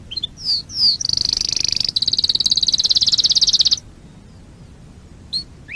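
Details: Canary song, from a collection of distinctive canary breeds: a few short high whistled notes, then a long, fast, even trill held at one pitch for nearly three seconds, ending abruptly with a brief note afterwards.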